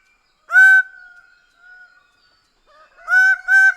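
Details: Greater bird-of-paradise giving one loud nasal honk, then a gap with faint trailing sound, then two more honks close together.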